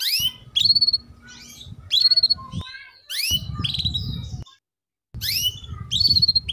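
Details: Female canary chirps meant to make young canaries sing sooner: bursts of bright, downward-swept chirps mixed with quick stuttering trills, separated by brief silent cuts, over low rumbling noise.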